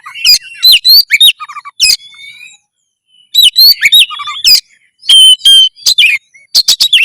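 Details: Oriental magpie-robin in loud song for breeding drive and fight readiness: rapid whistles, buzzy trills and sharp clicks, a silent gap around three seconds, then more varied phrases and a clear steady whistle.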